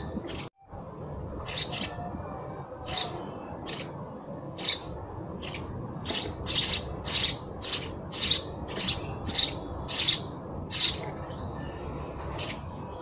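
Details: Sparrow giving clipped, high chirps, slow and spaced at first, then quickening into a brisk series of louder notes, around sixteen in all, against a low hiss.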